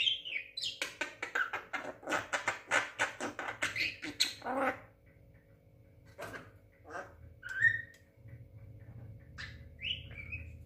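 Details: Javan myna, a young six-month-old talking bird, starting with a fast series of rhythmic harsh chatters, then scattered squawks and two short upslurred whistles over a low background hum.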